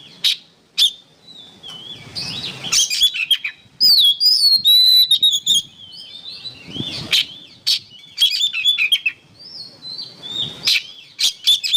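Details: Oriental magpie-robin on a songbird training recording: varied song of sharp chips, rapid trills and long rich whistled phrases with swooping, looping notes, some soft rustling between phrases.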